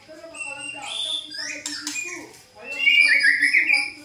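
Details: Song of a white-rumped shama, meant to draw a reply from a caged bird: clear whistled phrases and rapid chips, a short pause, then a loud, dense run of sweet warbled trills.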